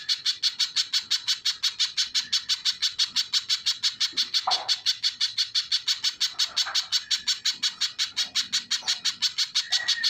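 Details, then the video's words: Little spiderhunter song: a fast, very regular run of sharp, high chipping notes, about three per second throughout, with a few short lower rising calls near the middle and end. "Burung pijantung pisang GACOR | suara asli tajam dahsyat"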